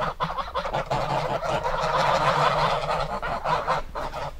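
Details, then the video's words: A dense chorus of geese, honking continuously and overlapping without a break, the nasal cackling building into a steady loud wall of sound for several seconds. "Gans geräusch / Gans geluid / Bruit oie / Gänse geräusche"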